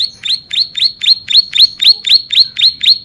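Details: Bar-winged prinia (ciblek sawah) singing vigorously, a recording meant for tutoring and luring birds: a fast series of sharp, high, buzzy chirps, each sweeping up then down, about four per second, steady and unbroken.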